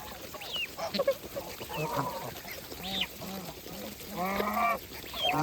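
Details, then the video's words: Farm geese during feeding, uttering spaced nasal honks and a few higher upslurred calls, with a longer, strongly harmonic honk late on, over a faint rustling background. "Geese life with natural sound"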